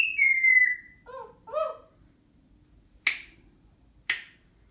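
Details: African grey parrot after taking a shower: a clear falling whistle, then two lower nasal squawk-like notes, followed by two sharp clicks about a second apart in a quiet room.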